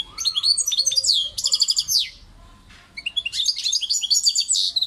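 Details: Goldfinch singing two bright, fast twittering phrases of mixed trills, chirps and sliding notes, separated by a brief quiet pause.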